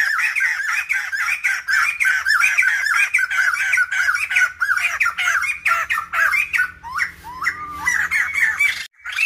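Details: Harsh chattering squawks from a female black-throated laughingthrush, calling to stir males to sing. Rapid rasping notes run densely at first, then loosen into separate bent notes and a few clearer, rising whistled phrases near the end.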